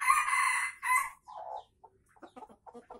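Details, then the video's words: Loud crow of a red junglefowl from Aceh, an original lure recording: a harsh two-part crow over about a second, a lower drawn-out tail note, then a run of quick low clucks. "Ayam Hutan Aceh # Pikat Ori"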